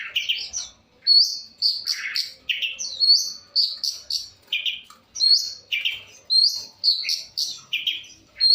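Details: Long-tailed shrike giving a varied song of bright, high whistles alternating with rough, lower chattering notes in quick, irregular phrases.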